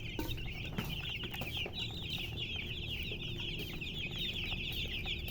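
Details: Many chicks chirp at once, giving a constant, busy wash of shrill, downslurred peeps against a steady low hum.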